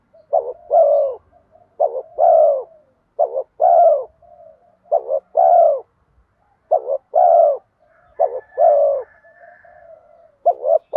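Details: Spotted dove in 'giọng đồng' (bronze-voiced) 'thúc gù kèm mắt me' calling style, used to lure wild spotted doves in quickly; short double coos alternate with long drawn, low mellow coos in a steady run, soft purrs between and a faint higher whistle near the end.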